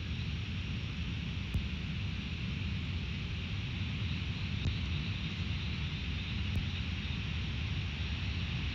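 Continuous rumbling wind and engine-like noise with a broad hiss, broken only by a couple of sharp clicks, and no animal voice.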